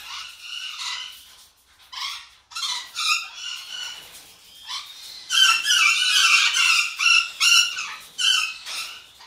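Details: Male golden conure, about 5 years in an aviary and usually quiet, gives harsh, raspy squawks in quick bursts of about two a second, building to loud, near-continuous screeching toward the end.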